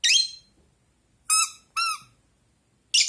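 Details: Rosy-faced lovebird kept as a pet indoors, answering a squeaky toy duck. Two harsh, buzzy chirps frame a pair of clear, tonal toy squeaks.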